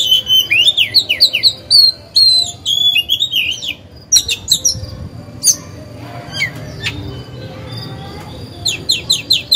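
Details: Oriental magpie-robin, a caged decoy trained to sing and rouse other birds to sing in contest. Bursts of rapid, looping whistled notes alternate with scattered high clicks and short pauses.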